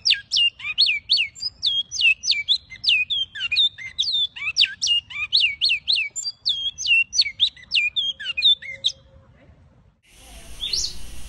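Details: A Great-billed Seed-finch (bicudo) of Brazil sings a fast, rich run of varied whistles and twittering slurs for about nine seconds, then a brief noisy burst ends it.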